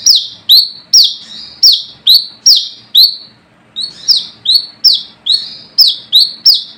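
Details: Wild brown-throated sunbird calling out rivals, a sound used for luring: high piercing notes that fall to brief level whistles, given in a quick series, a short pause midway, then resuming at the same pace.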